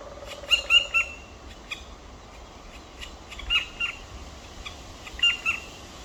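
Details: A pair of black woodpecker chicks in the nest, 23 May 2023, 19:43. Rapid groups of two or three sharp, nasal, squealing notes repeat about every two seconds, with a faint low tone at the start.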